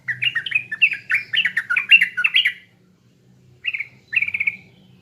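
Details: East Javan sooty-headed bulbul giving a lure song: a fast run of rich, warbled whistles for over two seconds, then silence, then two shorter gurgling phrases.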